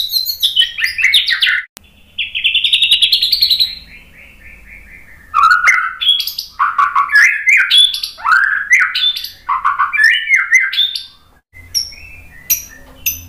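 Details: White-rumped shama song for provoking birds to sing: long, varied outpouring of high whistles, buzzy trills and lower slurred warbles, with several short pauses.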